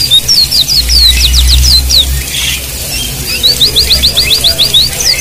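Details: White-eye song played over flowing water as therapy to get silent white-eyes singing: a fast, high, thin twitter of quick slurred chirps, about three or four per second, over a low watery rumble.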